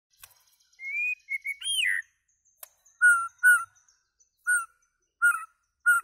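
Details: White-rumped shama singing: a long clear whistle, then varied slurred notes, followed by short rich whistled phrases repeated roughly every half to one second with faint high overtones.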